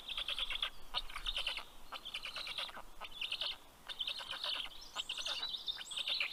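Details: Black stork young in Karula National Park, southern Estonia, welcoming the adult with fish late on a June morning through loud, raspy, stuttering chatter bursts, a short lull, then more, with faint small-bird whistles.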